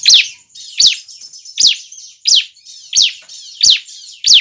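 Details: Young bar-winged prinia giving lure calls that draw other prinias near. Bright chirps slide downward and repeat steadily, about one and a half per second. Softer twittering fills the gaps, over a constant high whine.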